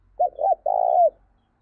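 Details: A single close coo from a spotted dove used as a training lure: a brief double note, then a long steady mellow tone that dips at the end, in a quiet setting.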